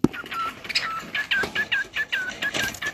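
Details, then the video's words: A cockatiel sings a run of clear, whistled mid-range notes in short slurred phrases repeated every few tenths of a second, with a faint indoor hiss behind. "Cocktail bird singing."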